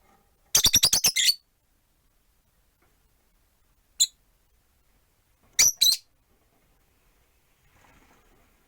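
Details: Four rosy-faced lovebirds in a window-side cage, one on its perch: a fast burst of about eight rapid, piercing chirps, one lone chirp, then a harsh double squawk amid long quiet gaps.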